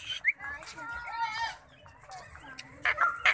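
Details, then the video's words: Indian ringneck parrot talking: a run of nasal, harmonic, speech-like syllables in a steady mid-high voice, broken by sharp bright squeaks at the start and end, with faint human talk in the background. "Amazing Talking Parrot || Indian Ringneck Parrot &talking"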